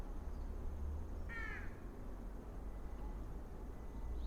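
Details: A White-breasted waterhen with its chick on Ishigaki Island, Okinawa, gives a single harsh, slightly falling, croaking note of under half a second during their interaction, over a steady low rumble.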